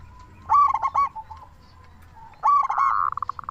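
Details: Local zebra dove calling actively, used as a lure to get other zebra doves to start calling: two bursts of short, rapid, stuttering coo notes, hollow and mid-pitched, with a softer trilling tail at the end.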